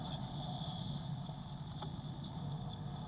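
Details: Crowded nest box of six Eurasian blue tit chicks, 22 May 2019; high squeaky calls pulse roughly three times a second in short paired notes above a steady low hum.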